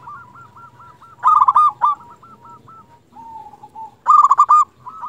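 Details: Local zebra dove serving as a lure to make other doves respond: softer repeated trill opens, then two loud rapid burry coo bursts, a low drawn-out note between them.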